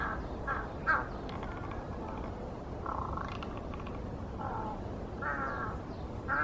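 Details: Large-billed crow in Cheongju, South Korea: harsh, hoarse caws in short bursts, some doubled, recurring every second or two through steady heavy background rumble and hiss.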